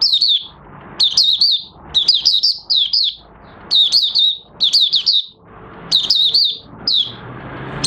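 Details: Oriental white-eye (mata puteh raja) beginning its song, 30 August 2022, white feathers almost fully coloured after renewal; bursts of high sweet twittering, each about half a second, repeated roughly every second with brief pauses.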